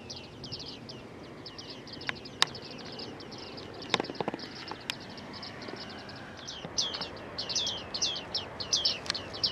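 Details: A flock of Bearded Tits at Newport Wetlands in early autumn, when large flocks take to the sky and descend around the reserve, calls steadily with short, bright, metallic pinging notes that overlap and grow busier near the end, with sharp clicks and faint wind.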